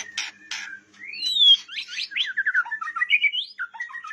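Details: White-rumped shama of the blorok variety singing a quick run of varied whistled notes, sweeping up and down, some rising slurs and short chattering phrases, preceded by two harsh buzzy bursts.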